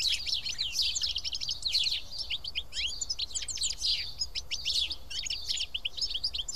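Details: Sharp, repeated chirps from several house sparrows overlap into an unbroken chorus while the birds sit and eat together at Karyotissa, Greece.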